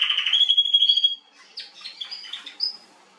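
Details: Canary (Serinus canaria) singing nightingale-style song, Remscheid, NRW, Germany, 26 June 2021: a loud, sustained high whistle for about a second, then a quick run of varied chirps and trills.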